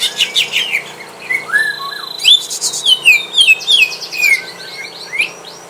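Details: Greater green leafbird kept at home, set against a rival bird to test its mettle, pours out rapid high whistles, a long steady tone, then a string of downslurred notes.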